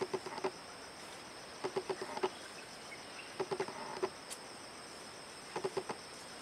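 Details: Recorded 19 March 2012 at a forest edge in Kaeng Krachan National Park, a bar-backed partridge gives clusters of three or four short, low hollow notes every couple of seconds, with a continuous high-pitched insect whine behind.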